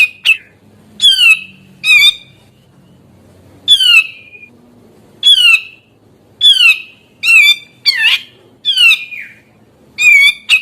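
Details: Grey-cheeked bulbul singing hard, a song said to stress other bulbuls and lure young birds into calling: repeated loud nasal squawks, each falling in pitch, some grating and doubled, at uneven gaps.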